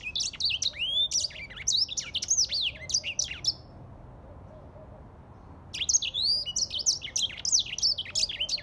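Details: Grey singing finch delivering two bursts of fast twittering song, high and tumbling with upslurred and downslurred notes, separated by about two seconds of quiet.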